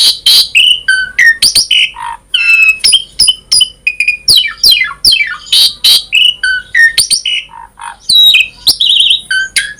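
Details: Long, varied 'gacor full isian' song from an Asian pied starling, used to encourage starlings to sing: dense mix of descending whistled sweeps, harsh squawks, clicks and bright whistles, almost without pause.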